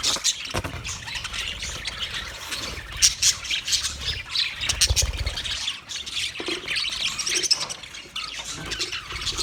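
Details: On 29 February 2024, budgerigars fill the air with harsh squawks and rapid warbling from many birds at once, constant and uneven in loudness.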